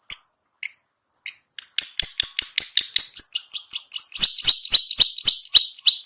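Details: Long-tailed shrike, called cendet, singing ngetet-style song meant as a lure for reluctant birds: a few isolated sharp notes, then a fast, unbroken run of high ticking, chattering notes, roughly four per second, growing louder.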